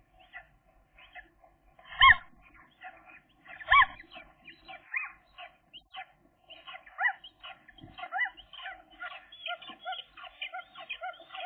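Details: Two seagull chicks at day 13, still cautious while learning to reach a food tray alone, give short piping peeps and thin rising whistles, scattered and irregular, with a few louder squeaky notes and faint thumps.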